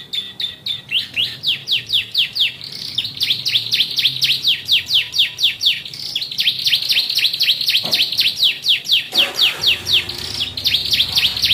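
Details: Ciblek-voiced song of a yellow Bon canary. It is a long, rapid run of high, sharply descending chirps, about four per second, steady and rhythmic. It breaks briefly before the run resumes.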